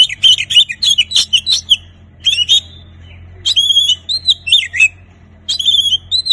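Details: Energetic Oriental magpie-robin song meant to stimulate silent birds: rapid chirpy notes, then looping whistled phrases repeated in bursts with brief gaps, over a low background hum.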